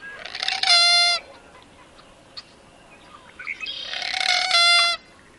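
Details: Common gallinule in Wisconsin giving two loud, nasal, harsh squawks, each about half a second long and a few seconds apart, over a steady background hiss.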